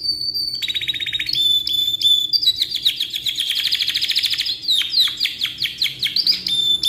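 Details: Canary singing a long, lively song used for tutoring other birds: steady fast trills and rapid repeated notes, with short whistled tones in between and a clean, high register.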